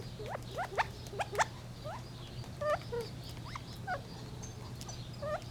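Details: Gambel's quail uttering spaced, rising chirps and a few short level notes, louder at the start, over a low continuous hum.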